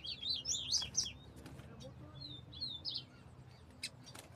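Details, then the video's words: Double-collared seedeater in a quick burst of high chirped and slurred notes, a phrase at the start and another near three seconds, with faint low background hum. "coleiro desmantelo"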